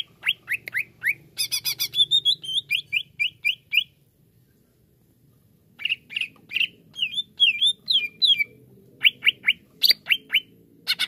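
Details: Greater green leafbird, a kept songbird, singing quick whistled chips and a buzzy rattle, a pause, then twisting squeaky whistles and sharp repeated notes over soft background noise.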